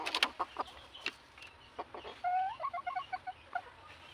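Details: Kept red junglefowl clucking in short bursts, then a run of clear, evenly spaced tonal notes that rise slightly, with scattered clicks and knocks around them.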